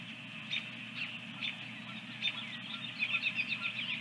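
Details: Osprey calling at its nest with eggs, Dunrovin Ranch, morning of 24 April 2022; scattered high chirps that build into a quick, repeated series of sharp whistled notes near the end, over constant hiss and low hum.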